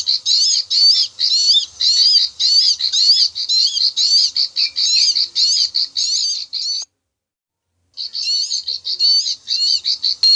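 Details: Bar-winged prinia lure recording from ricefields, used to draw birds into traps: fast, high, repeated klik-klik notes in continuous runs, broken by a one-second silence midway.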